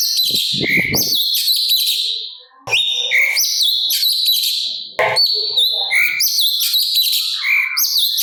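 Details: Energetic sooty-capped babbler song with harsh fill, recorded as a master for training songbirds: dense, varied high phrases of sharp whistles, slurred notes and chatter, broken by brief pauses.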